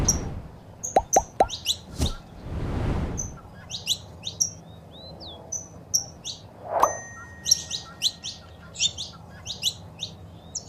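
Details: Saffron finch (canário-da-terra): female chirps and male singing used to stimulate a pet bird to sing. Scattered high chirps and trills between sharp knocks and a broad rushing noise, with a low background hum.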